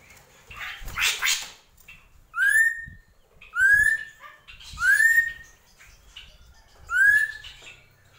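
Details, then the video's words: Drongo song opening with a harsh buzzy burst, followed by four ringing upslurred whistles roughly every second or so. "SRIGUNTING KRANTIL | GENTOLANG"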